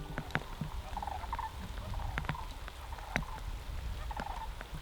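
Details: Sandhill cranes migrating back north over Alaska, calling all around but unseen in cloudy weather: distant rolling, rattling calls repeated through the clip, mixed with sharp clicks of rain and dripping water.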